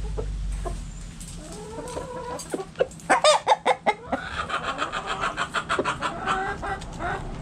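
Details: Hens and roosters in a backyard coop; scattered clucks give way to a rapid run of loud, rhythmic clucking pulses repeated several times a second, with other chickens murmuring beneath.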